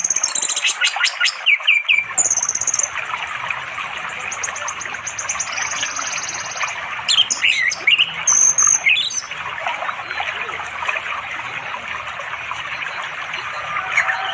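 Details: Orange-headed thrush singing to call a female for mating, by a flowing river in quiet forest far from settlements in East Java, late afternoon, recorded on Android; a varied, rich run of whistled and chirping phrases with steady running-water hiss.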